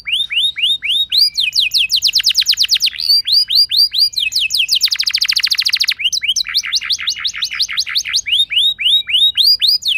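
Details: Canary singing, used as a lure to set other canaries singing: clean, loud, high rolling song of repeated down-swept notes, shifting into a dense buzzy trill midway, then back to quick slurred phrases.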